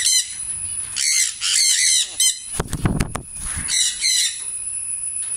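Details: Grey parrot (Psittacus erithacus), talking mimicry: it mimics a questioning "¿Aló?" in bright, nasal bursts, with a brief rush of fluttering wings midway.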